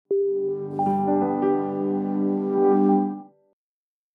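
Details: A sustained synthesizer and electric piano chord swells for about three seconds, then fades to silence, with no animal sound.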